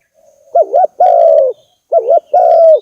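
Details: Spotted dove cooing, used as a lure call for trapping: two clean repetitions of a soft, low phrase, a short wavering double note followed by a longer steady coo that slowly falls, with silence between phrases.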